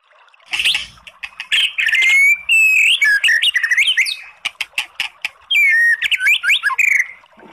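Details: White-rumped shama song played as a lure to stir a sluggish, low-drive bird into answering; loud, varied phrases of clear rising and falling whistles mixed with sharp clicks and harsh buzzy notes, delivered in quick bursts.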